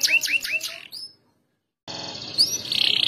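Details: Competition canary pouring out a sharp, loud song: three quick rising chirps with buzzy overtones, a short whistle, silence, then a harsh, continuous high trill.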